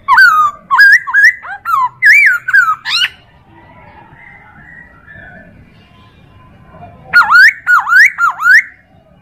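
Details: Chinese hwamei tutor song for training other birds, with a rapid series of loud looping whistles, a long quiet gap with faint background noise, then another quick run of swooping whistled notes.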